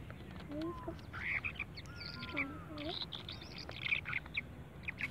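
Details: Birds chirping: short bright high chirps and twitters scattered through the recording, several overlapping, with a few lower swooping notes and a steady low background rumble.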